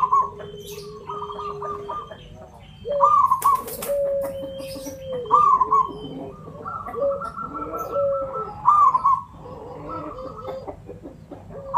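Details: Local Javanese zebra dove singing as a lure: rapid trilled coo phrases over long steady whistled tones from other birds, with scattered clicks and chirps.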